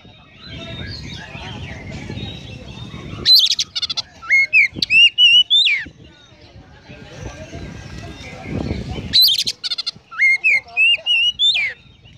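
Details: Oriental magpie-robin (kacer) singing in konslet style with sparrow mimicry: two loud bursts of sharp chatter followed by clear whistled notes, rising and zigzagging, about six seconds apart, over a steady low rumbling background.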